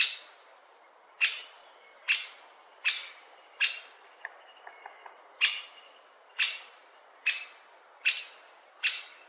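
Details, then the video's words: A steady run of about twelve sharp 'kik' calls by a great spotted woodpecker, one every 0.7 to 1 second, with faint thin ticks in a short pause midway. "Woodpecker Call"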